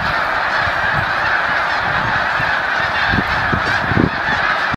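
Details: Thousands of wild Snow Geese at Assateague on December 29, 2011, resettling onto a lake after being startled into flight: a dense, continuous roar of overlapping honking and yelping calls with no pauses.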